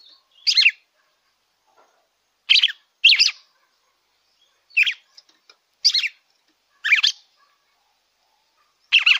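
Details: Red-cowled cardinal song to get a captive bird singing: seven short, bright chirped phrases, some paired, spaced one to two seconds apart in quiet surroundings.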